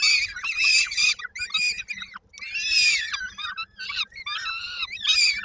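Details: Young peregrine falcons at Koszalin, Poland, 19 May 2022, begging while they wait for the mother to return with food; several chicks give grating, quavering screams, dense and overlapping, broken by brief pauses.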